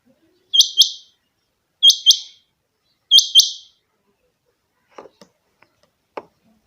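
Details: A pet rain quail gives three sharp, high, metallic double notes, about one pair every 1.3 seconds. A few soft knocks and clicks follow.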